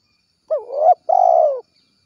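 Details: A lively spotted dove gives a 'kuk 1' companion call: a hooked coo that rises and swells, a brief pause, then a long steady coo that tails off downward. No other sounds.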